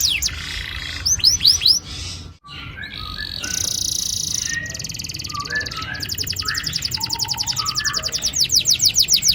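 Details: Canary rolling song, a lure for young canaries to start singing: harsh, noisy bursts give way to a long, very rapid, even trill of tiny high notes that grows louder toward the end.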